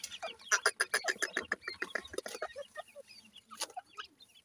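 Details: Grey francolin of the dakhni type, for comparing male and female voices: a fast series of sharp, harmonic clucking notes, about three to four per second, fading into scattered softer chirps.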